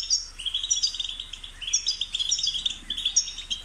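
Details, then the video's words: European goldfinch singing to encourage another bird to chirp: steady, high, fast twittering with tinkling, slightly buzzy notes throughout and a faint low hum. "New Goldfinch Stimulation with Best Support your Bird will Chirp"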